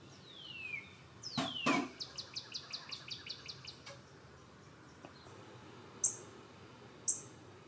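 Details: A cardinal visiting a bird feeder in the morning sings a clear whistle slurring downward, then a rapid run of about ten short repeated notes, followed by two sharp high chips.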